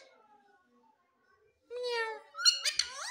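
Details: A pet Indian ringneck (rose-ringed parakeet) talks, saying "mithu mithu" after a silent start: two quick, nasal, harmonic speech-like words that rise and fall like mimicked human speech.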